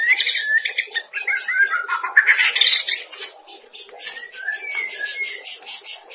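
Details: Training song of the white-rumped shama, known locally as murai batu, meant to make cage birds sing often: dense chattering and whistled phrases, loud at first, then softer gliding whistles.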